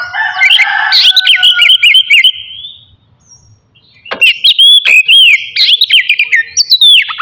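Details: Loud ngeplong song from an Oriental magpie-robin, used in the morning to provoke rivals and breeding urge. Fast whistled trills fill the first half, silence follows, then looping whistles return at about four notes a second.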